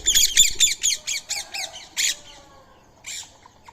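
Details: Indian ringneck parakeet at feeding time, sharing soaked rice and corn meal with a squirrel. Harsh, rasping squawks repeat about twice a second and fade toward the end. After a pause, one more squawk sounds.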